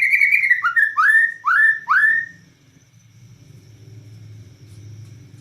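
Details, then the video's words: Bornean white-rumped shama in active nembak cililin song: four loud upward-sweeping whistles about half a second apart, then quiet with only a low background hum. "Murai Batu Borneo Gacor Nembak Cililin"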